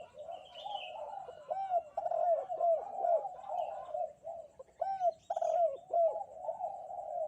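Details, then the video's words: A spotted dove calls actively on a bright morning with dense, continuous runs of throaty, bouncing coos, while a higher thin whistle from another bird sounds near the start. "Di pagi hari nan cerah ☀burung derkuku kuk 2 gacor"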